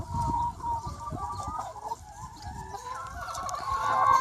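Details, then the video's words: Free-range chicken flock, about 200 birds, on a sunny spring day, a low background of soft clucks building into a louder overlapping chorus of calls toward the end. "Chicken Sounds 1 Hour - Chicken Sound Effect"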